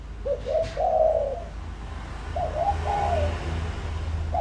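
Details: Spotted dove lure call for drawing in wild doves: a series of soft, low coos, short notes leading into a longer drawn-out coo, then a second, quieter phrase, over a low rumbling background.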